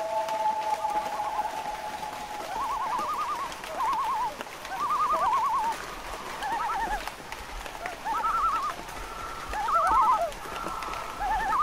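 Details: Loon calling with wavering, yodel-like tremolo phrases that rise and fall, several overlapping voices heard over a steady background hiss.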